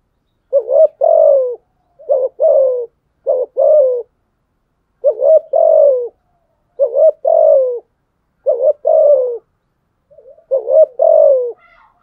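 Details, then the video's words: Spotted dove giving a challenging fighting coo to provoke rival doves. Regular paired coos, a brief rising note then a drawn-out descending hoarse note, repeated about every one and a half seconds. "Thúc gù chim cu gáy bài bản nhất hiện nay. gù thúc bài bản, kích bổi rất riêng gáy, cu đất gù đấu"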